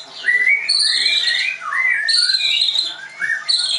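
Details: White-rumped shama kept at a bird training school in Tangerang; high sliding whistles and smooth rising and falling notes delivered in overlapping phrases.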